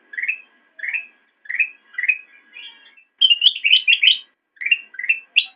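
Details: Song of a black-crested bulbul, recorded as a master track for teaching cage birds: a string of upslurred mellow whistles, then a quick excited cluster of higher warbling notes and a final upward flourish, no other sounds.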